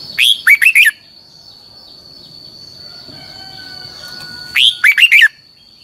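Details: Red-whiskered bulbul training song, long twisted double-voice style, used to coach other birds: a short whistled phrase of four quick notes, a pause of about three and a half seconds, then the same phrase again, over a steady high hum.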